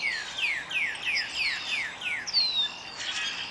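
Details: A Northern Cardinal (Cardinalis cardinalis) sings a quick run of about seven clear, down-slurred whistles, roughly three a second, then one longer falling whistle, with faint high chirps behind.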